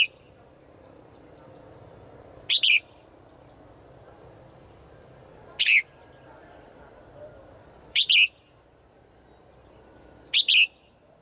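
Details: Female forest bird calling to a male, with short bright chirps spaced about two to three seconds apart, four bursts in all, over a steady low background hiss.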